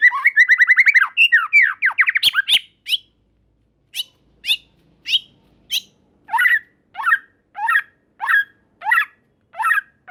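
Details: White-rumped shama song played to provoke other shamas: an opening fast trill of whistled notes, then separate sharp chattering phrases repeated about every half second to second.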